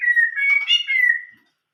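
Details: Brief phrase of Chinese hwamei song in the old-forest voice style: one sustained, slightly wavering clear whistle lasting over a second, overlaid by a burst of rich warbling, fading out.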